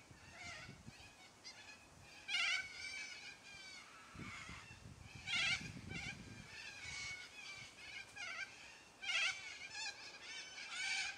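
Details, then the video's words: Loud squawks from a noisy yellow-crested cockatoo flock: scattered harsh, nasal screeches from several birds, strongest bursts every few seconds, with a brief low rumble midway. "Noisy Yellow Crested Cockatoos Take Over!"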